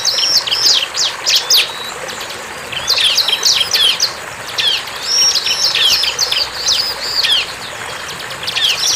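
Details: Bar-winged prinia in the wild, singing in distinct bursts of quick, piercing chips and slurred notes about a second long. Brief pauses separate the bursts.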